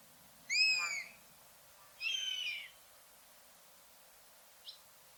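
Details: A buzzard calls twice, with each mewing note drawn out and falling and the second rougher. A brief faint chirp follows about two seconds later over a steady hiss.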